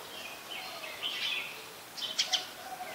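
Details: Brown-throated sunbird calling in Ubon Ratchathani, Thailand, on 2 January 2021, taken with a Nikon P1000; a couple of thin, high chirps come close together near the end above constant buzzing background noise.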